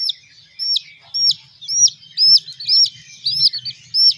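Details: Baby chickens being raised give loud, high arched peeps, each one short and clear, repeated about twice a second with small gaps between bursts; a faint low rumble runs underneath.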